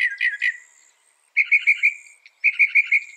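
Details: Northern mockingbird singing a varied sequence: three quick harsh notes, a pause, then two rapid runs of four bright chirped notes each.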